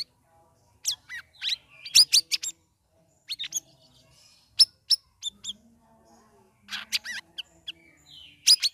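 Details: Caged sooty-headed bulbul, three weeks into ombyokan care, singing ngeriwik ngeplong: clusters of sharp high chips and short whistles, some rapid chattering runs, with quiet pauses between phrases.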